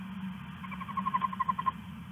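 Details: Owl at night, a male leaving a rat for its mate, giving a rapid run of about ten short clipped hoots that grow louder toward the end, over a steady low hum.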